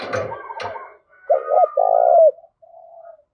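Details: Spotted dove decoy calling to wild birds: the bird coos after a burst of scratchy, broadband noise, giving a short double coo and then a long burry coo, with a faint soft coo trailing afterward.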